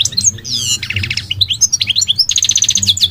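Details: Goldfinch singing, described as migratory: rapid liquid twittering with bright high notes, short repeated trills and buzzy rolled phrases tumbling one into the next, over a faint low hum.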